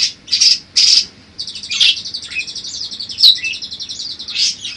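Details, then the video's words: Budgerigar song variation for tutoring songbirds: loud high squawky notes lead into a running buzzy warble, scattered with sharp squeaks and clicks. "Suara Kicau Burung Parkit Berbagai Variasi Untuk Masteran atau Pancingan"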